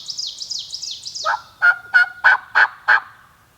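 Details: Wild Turkey gobbler heard during a hunt. A run of high, quickly falling chirped notes comes first, then five strong, evenly spaced, clipped calls about a third of a second apart.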